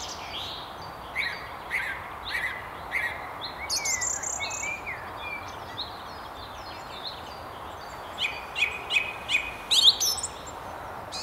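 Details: Song thrush singing from the very top of a tree beside the River Tyne near Haddington: varied, clear phrases of high whistles and sharp notes, separated by pauses, fuller bursts near the end, over steady background rumble.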